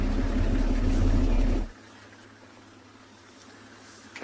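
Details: A vehicle engine rumbles loudly for under two seconds, then cuts off, leaving faint quiet background noise before a brief sound at the end.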